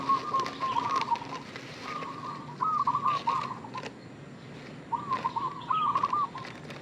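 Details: Lure call of a local zebra dove: bursts of rapid, bubbling coo notes in three phrase groups separated by pauses, with faint clicks and outdoor noise.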